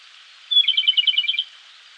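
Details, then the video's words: Singing wild Japanese robin in a Koshin mountain forest at dawn in May, busy with its energetic song: a clear high starting note, then a rapid ringing trill of around ten pulses, stopping after about a second. "コマドリ 鳴き声"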